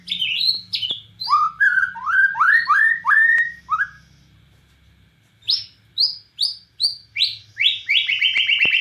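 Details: Bornean white-rumped shama singing energetically, firing bursts in the style that copies the cililin. Quick upward-sweeping whistled notes repeat in rapid runs, pause for about a second, then resume in higher notes over a faint low hum.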